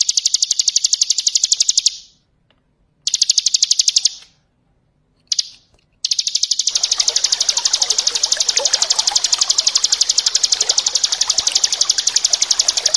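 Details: Bar-winged prinia singing ngebren style as tutor song for other songbirds, alongside splashing water: long runs of fast, evenly pulsed, high buzzy notes, cut by short silences, then one sustained trill over steady trickling water.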